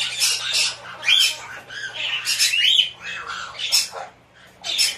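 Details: A hand-tame young white-bellied caique chick, 20 June 2024, gives harsh, raspy squawks in bursts about every second, with a few shrill whistled notes mixed in over a faint electrical hum.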